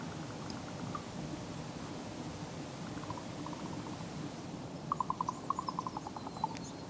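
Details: Common raven, apparently a young female, in late November–early December 2023, gives quick wooden knocking rattles in short bursts, the last and loudest near the end, over a steady low rumble of wind.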